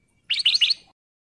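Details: Short burst from a breeding male sooty-headed bulbul calling a female: a single quick bubbly phrase of three or four bright, slurred whistled notes.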